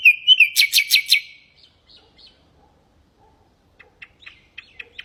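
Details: Common nightingale singing, meant to teach goldfinches and canaries: a warbled start, a burst of loud repeated rattling notes, then a lull followed by scattered soft chips.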